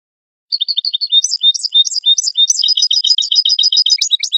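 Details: Goldfinch singing on a 2022 lure recording meant for trapping goldfinches. After half a second of silence, bright, rapid high chirps begin, then a busy run of quickly repeated twittering notes with occasional lower dips at the close. No other sounds are present.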